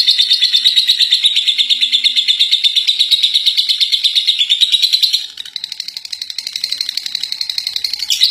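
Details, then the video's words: First-place lovebird performing ngekek, its extended chattering song: steady, high, buzzy pulses near three a second for five seconds, then a softer, slightly shifted run of chatter to the end. "Love Bird Juara 1 ngekek 3 menit"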